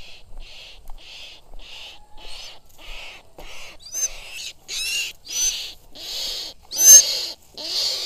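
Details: A Sulawesi goshawk flown in falconry hunting gives a harsh, scratchy call note about twice a second, growing louder and rougher over the series, with a faint low hum behind.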